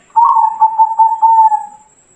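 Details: Zebra dove, a local Bangkok strain, used as a training recording to make other doves sing: one low, mellow cooing phrase, a rolling burst that breaks into several quick pulsed notes, then a steady drawn-out coo fading away.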